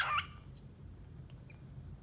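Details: Female cockatiel gives a brief, bright chirp followed by two faint, thin, high whistles.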